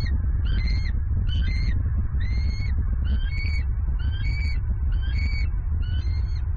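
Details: Wild female bald eagle in Southwest Florida, 27 November 2022, screaming as she flies to the nest to claim an armored catfish brought by her mate. Seven short, high, whistled notes with harmonics, evenly repeated under a steady low wind rumble.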